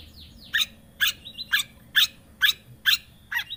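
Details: Long-tailed shrike lure song: loud chip notes repeated steadily about twice a second, with faint thin whistles in the background.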